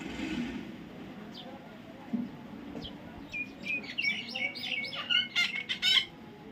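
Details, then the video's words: Young parrot, quiet at first amid soft voices and low murmuring, then breaking into a quick series of bright, squeaky chirps that grow louder and denser toward the end. "natural funny parrot sound"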